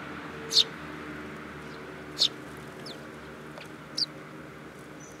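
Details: Sparrows coming to be fed at a Tenmangu shrine on 8 July 2022, giving three or four short, sharp chirps spaced about a second or more apart over faint background hiss.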